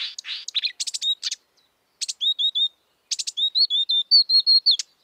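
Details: A Marsh warbler in the wild sings a fast, varied run of buzzy chatters, scratchy bursts and high, slightly slurred whistled notes, in short phrases with brief pauses.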